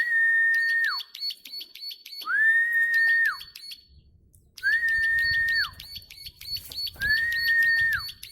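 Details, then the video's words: Energetic plain prinia giving long clicking song: bursts of fast, regular high ticks, broken by short pauses. A level whistled tone that drops at the end recurs four times, with faint low rumble in the background. "Ciblek sawah gacor ngeklik panjang"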